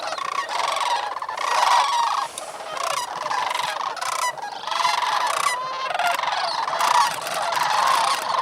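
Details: Wild sandhill cranes roosting on water in New Mexico's Bosque del Apache refuge shortly after sunrise, November 28, 2010, at 18°F. Dense, loud bugling from many birds, rising in bursts roughly every second with brief lulls.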